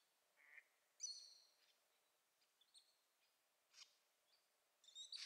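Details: Ducklings of mallard (Anas platyrhynchos) give thin, high peeps, short and slightly falling, scattered irregularly with a brief cluster near the end; the background is quiet.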